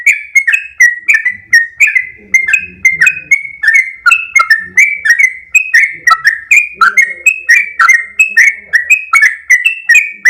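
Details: Sooty-headed bulbul in sustained long 'ropel' song, a rapid chain of paired whistles at slightly different pitches with crisp clicks, going on without pause over faint low rumbling.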